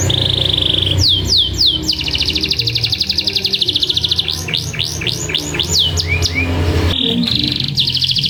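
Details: Canary; song; lure to stimulate other canaries to sing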